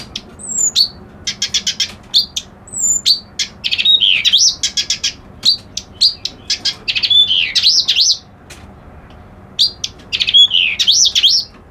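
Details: Kerak basi alis putih, a reed warbler, delivers a long, scratchy, chattering song: rapid rattled clicks alternating with buzzy phrases, high thin whistles and wavering slurred notes, with brief gaps between bursts.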